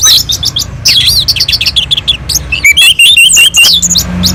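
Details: Orange-headed thrush from a mountain slope singing richly to spur other birds to sing; quick jumbled high chirps and looping whistles, then a run of clear repeated whistled notes.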